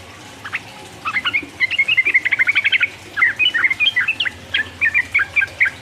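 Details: Sooty-headed bulbul ropel 'uplik uplik' song to stimulate opponents: a fast rattling burst of short repeated notes, about four per second, followed by warbled whistled phrases.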